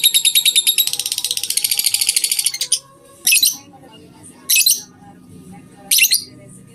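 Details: Lovebird ngetik (typing) song from a tutor recording. Rapid high clicking chatter lasts about two and a half seconds, followed by three short bursts of harsh high chirps separated by quiet pauses.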